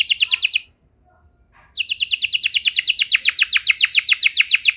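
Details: Singing canary, meant to coax quiet canaries back into song: rapid downslurred notes, a pause of about a second, then a long run of quick repeated sweeping notes.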